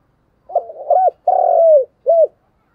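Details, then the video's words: Decoy spotted dove cooing: a soft burbled opening, a longer rolling coo that slides slightly down, then a short clipped final coo. The notes are low and mellow, and nothing else can be heard. "Chim Cu Mồi thúc gù sung"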